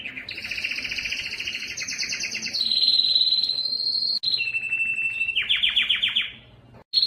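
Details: Yellow canary song with a dense two-pitched trill, a louder sustained high roll, a lower steady tour and a run of rapid downward-sweeping notes, ending in a short pause.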